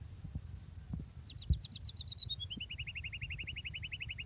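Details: Murai batu, the White-rumped shama, singing an isian-style passage. A fast series of clipped notes begins high, dips a little, then settles into a long, steady, evenly spaced trill, with low-pitched hum underneath.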